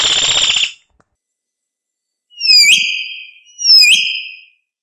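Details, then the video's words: Common hill myna (Gracula religiosa): a harsh, rasping buzzy burst, then after a pause two loud, ringing whistles, each opening with a sharp upward-swept note and settling into a sustained bright tone before fading; otherwise quiet. "O Canto do MAINÁ DA MONTANHA (Gracula Religiosa) Bird Song - Hill Myna"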